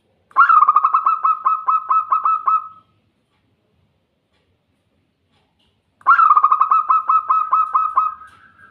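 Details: Zebra dove singing, recorded as therapy to get doves singing quickly: two loud phrases, each about two and a half seconds of rapid, stuttering, rolling coos on one steady mid pitch, separated by three seconds of silence.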